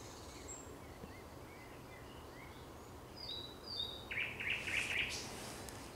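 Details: At sunset on 30 May 2021 a thrush nightingale sings. Quiet background whistles give way to a loud, rapid series of rattling clicked notes near the end.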